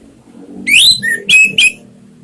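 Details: Brief orange-headed thrush song fragment on a lure recording: a rising whistled slur followed by three short, clear whistled notes over a faint low hum.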